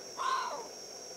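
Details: Bateleur during territorial display in Kgalagadi Transfrontier Park, South Africa, giving one short harsh bark-like call, rough and falling slightly, against a constant high-pitched insect whine.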